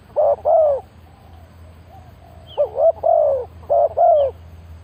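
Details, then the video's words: Spotted dove decoy call used to lure wild doves: a short coo and a longer, lower, mellow coo, followed after a pause by a quick three-note cooing phrase repeated twice. The setting is quiet, with a faint low hum. "Chim cu gáy chiêu kích mồi tập bổi nhanh nổi hiệu quả"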